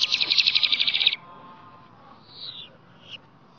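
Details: Flamboyan bird recorded naturally in the wild, giving a fast, even trill of high pulsed notes for about one second, followed by soft faint whistled notes over a quiet background.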